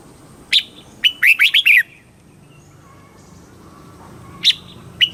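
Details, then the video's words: Thai red-whiskered bulbul in southern master style, played to rouse birds and teach chicks: an isolated sharp note, then one quick phrase of rippling whistles, followed by a long quiet stretch with two lone sharp notes. "เสียงนกกรงหัวจุก ร้อง ริก เปิดให้นกฟัง ยั่วให้นกคึกจัด"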